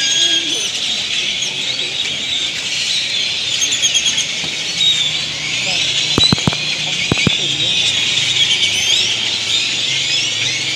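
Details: Great-tailed grackles, a large flock noisily gathering at dusk to sleep in trees in Granada, Nicaragua; a dense continuous wall of shrill squeaks and whistles, with a few sharp clicks near the middle and quiet voices underneath.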